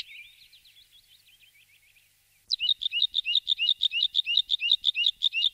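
A Bluethroat gives a soft run of thin high twitters, then bursts into loud, rapid ringing notes repeated about three per second.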